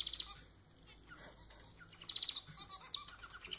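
Quick bursts of high, clipped chirps from a society finch, four or five notes at a time, then scattered thin notes in between.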